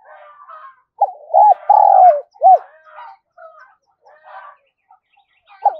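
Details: Spotted dove, thổ-style voice, repeating its coo to excite a decoy bird. One loud phrase of two short hooped coos, a drawn-out falling coo and one more short coo, surrounded by quieter scratchy rustles and murmurs.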